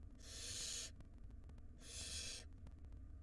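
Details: Wild barn owl chick begging in a nest box during feeding; two long rasping hissed screeches, each near three quarters of a second, about a second apart, above a low hum.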